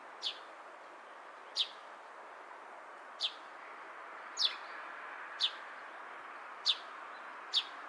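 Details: Sparrow in Japan giving short sharp single chirps, about one every second or so, seven in all, over a steady background hum.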